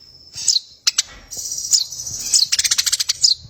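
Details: Competition-bred Eurasian tree sparrow in a tutoring recording set against another species: high, sharp chirps, several dropping steeply in pitch, then a quick rattling run of clipped notes near the end.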